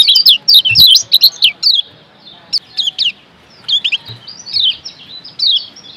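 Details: Lombok yellow white-eye singing a fast, high, chattering series of sharp chirps and down-slurred whistles, densest at the start, then sparser phrases with pauses and a few thinner notes near the end.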